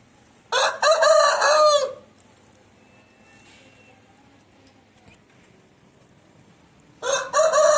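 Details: Aseel rooster (Gallus gallus domesticus) gives a loud, hoarse crow lasting about one and a half seconds, then begins a second crow after a quiet pause.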